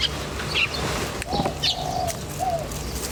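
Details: Birds chirping in nature: brief high twittering notes early on, then drawn-out arched whistles lower down, with a steady low hum underneath.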